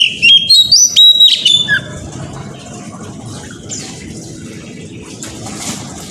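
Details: Oriental magpie-robin lure song in the morning, meant to provoke other magpie-robins into singing. Under two seconds of loud, sweet whistled phrases with sharp upslurs and chattering notes, then quiet, with a steady low hum throughout.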